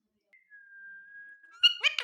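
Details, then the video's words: Pet rose-ringed parakeet, said to talk, holds a long level whistle, then breaks into rapid harmonic chattering syllables that sound like mimicked speech. "Ringneck Parrot Berbicara"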